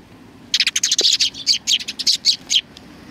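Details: A burst of excited high chirping from sparrows welcoming visitors at a Tenmangu shrine on 3 July 2020, short sharp tweets tumbling over one another for about two seconds.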